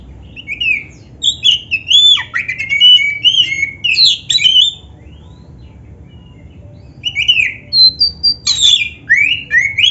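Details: Black-breasted oriental magpie-robin singing energetically, with varied fill-in phrases, for training other birds: two bursts of rapid twittering and sweeping whistled notes separated by about three seconds of silence.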